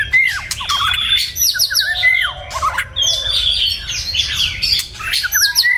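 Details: White-rumped shama singing in the morning: a rich, varied run of clear whistled notes, quick up-and-down slurs and sharp clicks, with short pauses between phrases.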